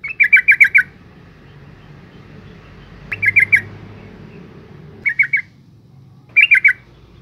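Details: A female yellow-vented bulbul calls to rouse males, giving four short bursts of rapid, liquid chattering notes spaced one to three seconds apart, with a soft background hum.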